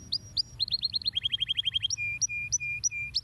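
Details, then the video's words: Canary singing, used to stimulate other birds: rapid repeated chirped syllables in tours that step down in pitch, then longer steady whistled notes alternating with high sharp chips. "canários são bons para estimular o som de pássaros preguiçosos"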